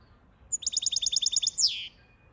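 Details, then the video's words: Goldfinch song: a rapid, evenly spaced series of about a dozen high liquid notes ending in a louder, buzzy, down-slurred note. "Goldfinch song"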